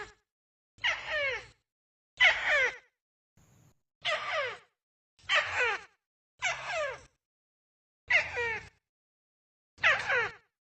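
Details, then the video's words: Tikusan call used for luring birds, taken from assorted recordings: seven rough, scratchy bursts with falling streaks, plus one short faint note, irregularly spaced about one to one and a half seconds apart, with low background hum. "SP.BURUNG TIKUSAN MP3"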